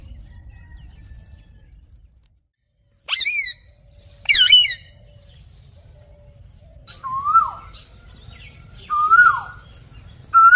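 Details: Indian ringneck parrot producing two harsh screeches followed by softer whistled notes that dip and rise, repeated a few times, with a brief silence near the start.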